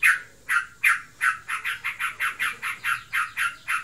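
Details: Pet sooty-headed bulbul in breeding condition, chattering without pause: a few spaced harsh notes, then a quickening run of rasping, buzzy notes at about four per second.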